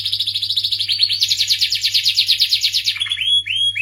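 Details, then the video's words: Canary trilling fast and high, the phrase rising in pitch then breaking into a few separate upward-swept whistled notes at the end; faint hum underneath. "suara merdu kenari"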